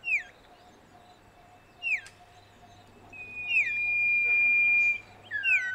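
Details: Common iora, a garden bird, whistling a repeated phrase: quick downward-curving notes about every two seconds, some leading into long level whistles, plus faint steady low hum in the background.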